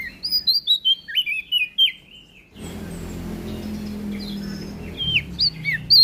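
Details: Prinia of NTB, Indonesia, singing a clear melodious phrase: a fast run of about ten high whistled notes sliding downward, then faint hum and a few more high slurred notes.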